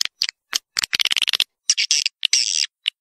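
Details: Swiftlet sounds used to call swiftlets into swiftlet houses and get them to roost: short, separate bursts of buzzy, high twittering. A dense run of chips comes near the middle, then a few longer rasping notes.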